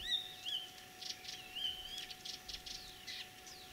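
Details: Spring song of a mimicking common starling, Kalyazin district, Tver region, Russia, 9 April 2023: sparse, clear whistles sliding up and down, separated by short buzzy notes and brief pauses, with a constant faint hum.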